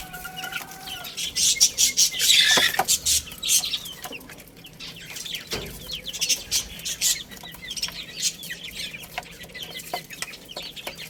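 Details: Baby chickens playing and eating give rapid, high, thin chirps and peeps, many overlapping in dense bursts for the first few seconds, then sparser, scattered cheeps over faint background noise.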